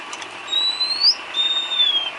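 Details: White-rumped shama isian filler song for cage-bird training: a long, pure whistle gliding slowly upward to a sharp peak, then a second sustained whistle held level before easing down, loud and clean over faint hiss.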